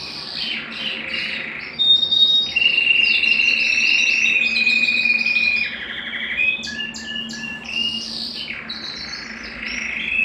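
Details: Belgian canary singing to stimulate males and bring females into breeding condition: high rolling trills, then long steady whistled tones and stepped buzzy phrases, over a faint low hum.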